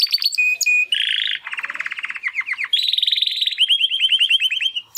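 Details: Young male Timbrado canary, one of two brothers born in the second breeding of 2020, making first song attempts after its first molt: varied phrases of steady whistles, buzzy trills and rapid rolling notes, fast repeated downward chirps.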